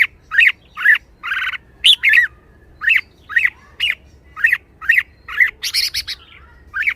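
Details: Spirited caged red-whiskered bulbul calling almost nonstop, a busy string of short bright whistled notes and slurs with a couple of harsher buzzy bursts mixed in.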